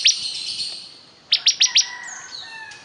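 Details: Bar-winged prinia (ciblek kristal) singing intensely: a sharp high chirp, then a quick run of four bright, clipped notes, followed by thin, faint whistled tones sliding downward.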